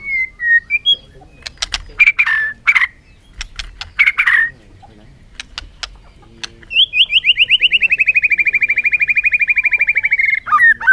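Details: Bird sounds: scattered chirps and clicks at first, then a long, even, rapidly pulsed trill holding steady at a high pitch for about four seconds, ending in a couple of falling notes.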